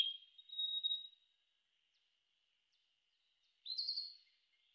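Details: Narcissus flycatcher song: a high, thin whistled phrase with a sustained level tone, silence for over two seconds, then a brighter, slightly rising warbled phrase, against a clean, quiet background.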